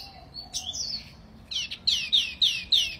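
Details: Wambi mini song: a few thin, wavering whistles, then a quick run of loud, bright, downward-sweeping notes repeated roughly every third of a second, high and clear over faint background hum.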